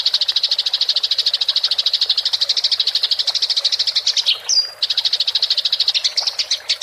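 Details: House sparrow in fighting rolling chatter (ngerol) for songbird training: an unbroken rapid string of high chirps, interrupted near the end by a short clean whistle, then resuming the fast chatter.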